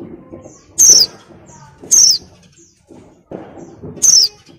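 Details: Breeding-mood female oriental white-eye luring a male with its call: three high, thin, downward-sliding notes, roughly one a second, each short and piercing, with faint low background murmur.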